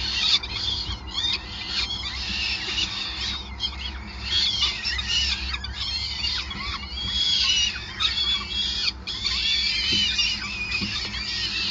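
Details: Peregrine falcon nest, Gasunie Groningen, Netherlands, 5 May 2020, during feeding: a long run of squealing, wavering high calls, repeated in dense overlapping bursts, with short gaps and a persistent low drone underneath.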